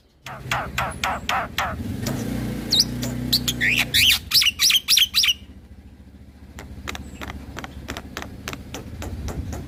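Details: Nodding black-winged starling in full rolling song that agitates other starlings: harsh rasping strokes, then rapid high whistled notes, then more regular chattering beats, with low vehicle rumble in the background.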